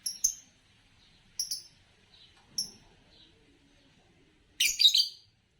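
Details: Green Fischer's lovebird, a kind favoured in Indonesian bird song competitions and known for long songs, giving short high chirps in three quick pairs, then a louder harsh burst of notes near the end.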